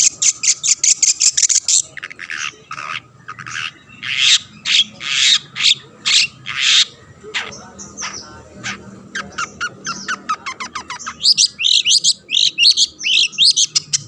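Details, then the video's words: Long-tailed shrike singing to goad other shrikes into song: a rattling series of fast chips, slower loud rasping squawks, then varied twittering and looping warbled whistles. "burung cendet gacor pendongkrak emosi lawan"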